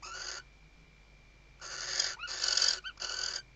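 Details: Female western barn owl in a nest box in the Ebro Delta, Spain, 2023, calling the male during nest stuffing: one hissing screech, a pause, then three rasping bursts in quick succession.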